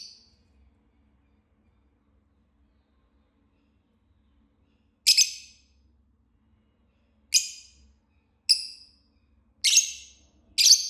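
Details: Green Fisher lovebird singing and chirping: after a long silence, short sharp high chirps come at irregular intervals, five in the last six seconds.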